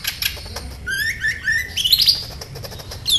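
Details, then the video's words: Sunbird song used as a lure to make other sunbirds respond and sing; a run of rising whistled slurs climbing higher in pitch, ending in sharp high squeaky notes over a faint low hum. "SEMUA Burung KOLIBRI CUEK LANGSUNG RESPON DAN GACOR Dengan PANCINGAN INI!KOLIBRI NINJA GACOR"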